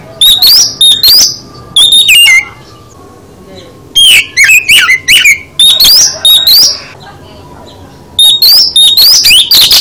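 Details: Oriental magpie-robin (kacer) in full 'isian' song: quick bursts of clear whistles and rasping notes in phrases of a second or two, with pauses between them.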